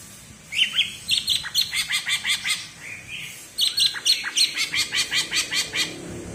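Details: Green leafbird (cucak ijo) from Alas Purwo, Banyuwangi, singing bebeci-style: two long runs of rapid, evenly spaced sharp notes, about five per second, with whistled accents at the start of each run.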